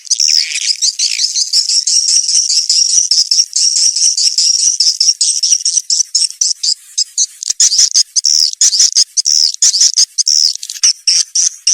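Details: Swiftlet calls meant to draw young swiftlets into a new nest building: a continuous high, buzzy twitter that opens with a swept chirp, then breaks into rapid clicking pulses in the second half.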